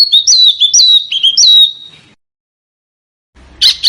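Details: Small bird song from a master recording for training cage birds to imitate; repeated whistled notes that rise sharply then slur downward, followed by silence and a brief rasp.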